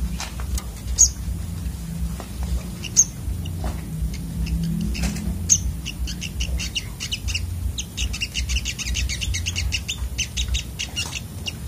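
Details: Sunbird singing agitatedly: thin, high chirps and sharp whistled notes come scattered at first, then build into dense rapid ticking trills toward the end, over a low background hum.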